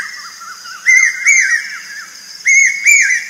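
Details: Birds chirping in the morning: bright whistled notes near one pitch, each with a quick upward flick, coming in two pairs about one and a half seconds apart, over a faint low hum.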